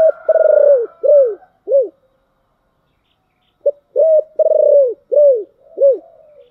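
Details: Spotted dove giving giọng thổ style song: a purring rolled coo and two arched notes, a pause of about a second and a half, then the same phrase again with a short lead-in note. No other sounds.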